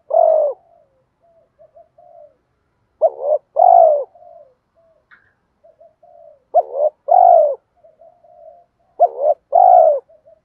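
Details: Spotted dove giving the urging coo (thúc gù gáy) for luring wild doves, 2024, in giọng thổ style. Four low coo phrases arrive about every three seconds. Each is a stuttering double note and a long hoarse coo, with soft murmured notes between.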